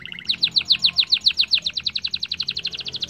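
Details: Canary singing to trigger other canaries into song: a brief low buzzy intro, then a long steady trill of rapid repeated high chirps, about seven per second.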